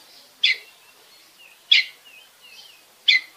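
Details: Oriental magpie-robin from Bekasi, sound used to stimulate other birds to sing: three sharp, harsh chips about 1.3 seconds apart, with soft thin whistles between them.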